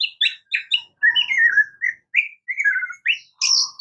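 An Oriental magpie-robin sings a quick, varied run of sweet whistles and scratchy notes, mostly rising and falling phrases with short gaps between them.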